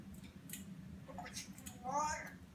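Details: A two-year-old pet African grey parrot talks indoors on President's Day 2016, a short speech-like phrase with a wavering voiced syllable near the end, after a few soft clicks and rustles.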